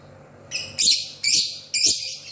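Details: Lovebird chattering in the morning: three loud, harsh, high-pitched bursts of dense scratchy chirping, each lasting about half a second and spaced roughly half a second apart, over a low background hum.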